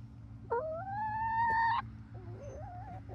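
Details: Barred Rock and Gold Star pullets, a 19-week-old flock near Iola, Texas, producing one loud, sustained rising whistle, then a quieter wavering warble, with a constant low hum behind.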